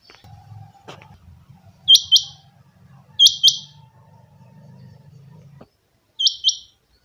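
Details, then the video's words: Captive rain quail, chinga batair, calling three times with crisp doubled high notes over a low rumbling background hum that stops before the final call. "my rain quail sound effect chinga batair ki awaz"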